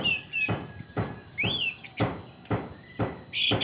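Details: Orange-headed thrush in the teler ndelosor singing style, used as a lure to train untrained or non-singing thrushes: sweet, high, slurred whistled phrases with rising and falling notes. Loud clicking knocks recur about every half second throughout.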